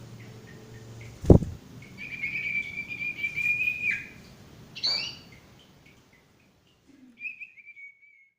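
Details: Male sirtu song meant to coax stressed or non-singing birds: a sustained bright whistle held about two seconds, a sharp knock, a chirp burst, then a shorter falling whistle.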